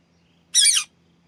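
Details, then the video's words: A pet rose-ringed (green ringneck, Alexander) parakeet gives a single harsh, grating screech about a third of a second long. It bursts out of a quiet room with a faint low hum, recorded in the morning. "Green Ringneck parrot sounds"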